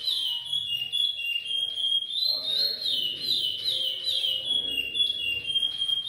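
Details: Curió, the chestnut-bellied seed finch, delivering repetidor Goiano song: sweet whistled notes running together in looping, undulating phrases, steady and loud throughout, with a little soft low background noise.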